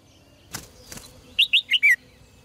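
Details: Two dull knocks, then a caged red-whiskered bulbul sings a fast four-note whistled phrase ending in a falling slur, meant to stimulate males to sing strongly.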